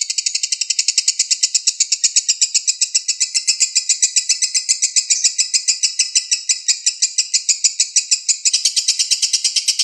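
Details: Lovebird in Indonesia performing the long konslet song used to lure other birds: about ten seconds of continuous high, buzzy, rapidly pulsed chatter, with a brief brighter shift near the end and no other sounds.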